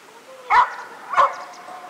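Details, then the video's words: Fieldfare at the shore of Lake Sommen, Tranås, Sweden, on 17 July 2012 in summer, gives two harsh, rasping chack notes about two-thirds of a second apart over a faint, steady hiss. "GRIVE Litorne/Turdus pilaris"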